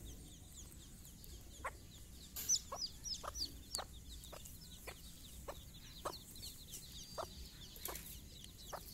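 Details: A mother hen gathers her chicks for a morning walk, their first time outside: a regular run of short clucks roughly every half second, chick peeps scattered high above, and one brief loud rustle.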